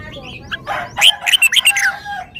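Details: Song phrase from a caged red-whiskered bulbul displaying its repertoire: jumbled warbling rises into a rhythmic string of about seven bright, bouncy whistled notes.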